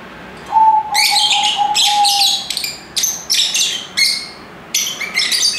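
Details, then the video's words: A plain, mid-pitched whistled tone first, then lovebirds break into a rapid run of shrill, rasping chirps. The chirps crowd closely together before becoming more spaced. "Ramai Kicauan Lovebird (Lovebirds Sounds)"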